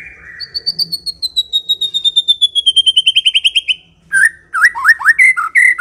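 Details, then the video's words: White-rumped shama singing to draw other shamas into answering: a long accelerating trill of bright notes that slowly falls in pitch over about four seconds, followed after a short pause by rich, looping whistled phrases. "COCOK untuk memikat murai batu AGAR LANGSUNG NYAUT dan GACOR"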